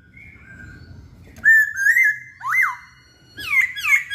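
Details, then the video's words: Masked laughingthrush singing actively: a faint whistle leads into loud wavering whistles, then a dipping note, then a final burst of rich, bending whistled phrases. "Poksay Hongkong Gacor"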